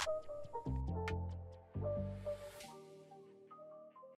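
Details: Instrumental music with sustained low tones and light ticking percussion; no animal voice is heard.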